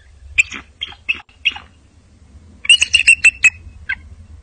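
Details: Bald eagle giving high, thin, squeaky piping notes, a few spaced calls, then a quick chattering run of five shrill notes, with a low rumbling hum beneath.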